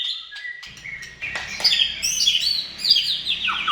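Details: Vigorous white-rumped shama song meant to set other shamas singing: soft level whistles open the phrase, then a bright cascade of high chirps and descending whistled slurs.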